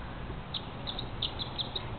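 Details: Pre-dawn barn swallow in spring at Everett, Washington, flying fast around a house like a small fighter jet; a quick run of about seven thin high chirps over faint steady background noise.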